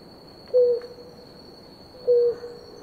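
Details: While a pair of blue ground doves drinks water, two clear, low, hollow hoots sound about one and a half seconds apart, each held briefly and falling slightly at the close, with a faint steady whine behind.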